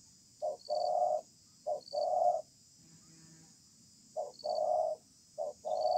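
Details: Stubborn wild-caught spotted dove calling during a contest under a communal house, its song delivered sparsely; two-part coos, a brief note followed by a long, steady, slightly rough hoot, separated by pauses, over a thin high background tone.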